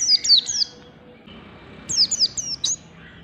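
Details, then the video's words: Oriental white-eye singing ngalas style in the morning, as training audio for birds: two quick clusters of high, thin, tumbling down-slurred notes with a pause between them. "PLECI NGALAS DI PAGI HARI"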